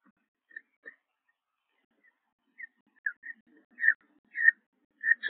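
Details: Newly hatched second peregrine falcon chick in its nest at Liempde, 19 April 2021, giving short thin cheeps that start sparse and grow louder and more frequent toward the end, with a few soft rustles.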